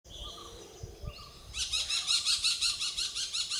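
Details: Malabar Parakeet, also called Blue-winged Parakeet (Psittacula columboides), gives a rapid series of harsh, screechy notes, about three per second, after a faint thin whistle at the start.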